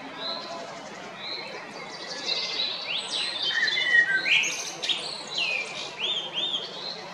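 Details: Eurasian blackbird, a male, singing at Jarun in Zagreb, Croatia, 22 April 2021; rich flowing whistled phrases rising and falling, broken by sharp high twitters and short pauses over a soft steady hum.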